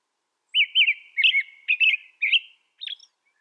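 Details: Carolling American robin: a run of quick warbled whistles in short grouped phrases, rising and falling, ending with a softer, thin high note after a pause, in quiet surroundings.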